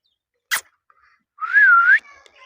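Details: A pet Indian ringneck parrot gives one clear, mid-pitched whistle that wavers and then rises at the end, after a sharp click and followed by faint chatter.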